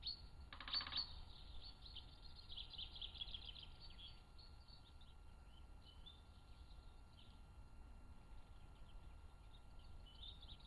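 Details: Male great spotted woodpecker drumming in spring woodland in fine weather: one brief, rapid drum roll of about half a second, followed by high chirps from other small birds singing and a low background rumble.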